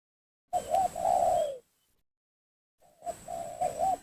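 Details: Spotted dove lure call aimed at rival doves, heard through heavy hissing noise: two phrases of bubbling, wavering coos ending in a long falling note, separated by more than a second of silence.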